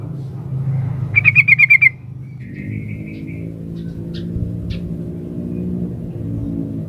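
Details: Female sooty-headed bulbul calling the male, used as a lure to stir quiet males into answering: one brief burst of about seven rapid, buzzy, evenly spaced notes, then a faint thin whistle, over a steady low hum.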